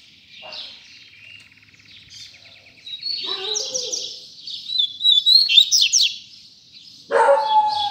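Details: Double-collared seedeater tui tui zel zel song: an opening dry rapid trill, then loud high buzzy and whistled notes in quick succession, ending with a louder lower harsh note.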